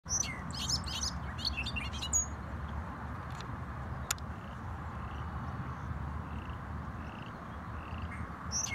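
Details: Bobolink on Cherryvale Trail, Boulder, Colorado, 7 June 2015: a quick, bubbly jumble of tinkling high notes for about two seconds, then scattered soft chips, over steady low rumbling wind or traffic.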